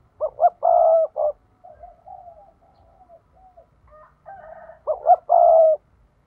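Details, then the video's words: Spotted dove decoy bird giving a 'thúc' style lure call used to provoke wild doves for trapping: two low cooing phrases of short notes followed by a longer throbbing coo, with softer murmured coos in between. "Chim cu gáy thúc || tiếng chim cu gáy mồi chuẩn"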